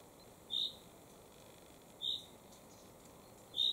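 A common chaffinch gives short, clear, high single notes, one roughly every one and a half seconds, against a quiet background hiss.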